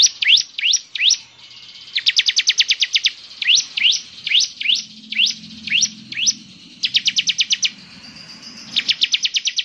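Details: Actively singing bar-winged prinia with a characteristic voice that sets others singing. It alternates rising, whistled upslurs with fast, dense trills of high chips, in bursts separated by brief gaps.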